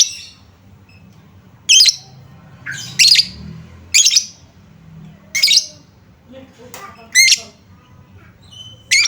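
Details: Lovebird sound used as a lure to make hard-to-sing lovebirds respond quickly: a run of sharp, rasping squawky chirps, roughly seven bursts at about one-second intervals, with fainter soft twitters between them over a low background hum.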